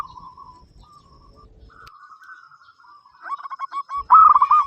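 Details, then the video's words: Local zebra dove with a loud voice, singing to prompt other doves into song; soft faint coos at first, then a burst of quick stuttering coo notes building to a louder phrase with a held ending. "perkutut lokal gacor suara besar"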